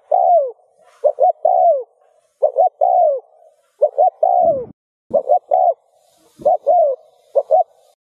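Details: Spotted dove cooing to stir other doves into cooing: repeated phrases of two short clipped notes and a long, drawn-out falling coo, given in quick succession, with a few low dull thumps in the background.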